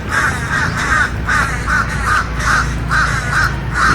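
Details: Black crows calling from trees on the Rollins College campus in Winter Park, Florida, on 13 March 2018: harsh, mid-pitched caws repeated rapidly, about two or three per second, over a steady low background hum.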